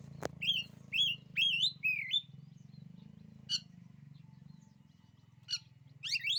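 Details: Oriental magpie-robin giving a run of sweet whistled phrases in quick succession, then sparse sharper notes after pauses, over a constant low hum.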